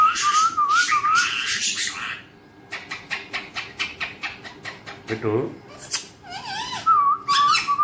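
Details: Pet talking Alexandrine parakeet giving a wavering whistle and squawks, then a series of quick clicking, voice-like syllables and a throaty buzzing note before whistling again.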